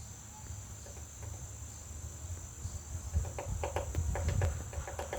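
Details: Woodpecker pecking at a butterfly house: after a quiet start, a burst of quick, uneven wooden knocks clusters in the second half, over a steady high-pitched insect drone.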